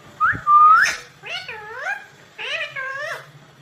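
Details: Green ringneck parrot in a home, starting with a loud whistled upslur and steady note, followed by two nasal, wavering harmonic calls that dip and rise.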